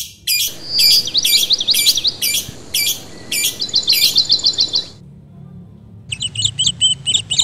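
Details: Lovebirds recorded on 24 August 2022 chatter in shrill, rapid chirps and squeaky twitters: a burst of about five seconds, a short pause, then more sharp chirping.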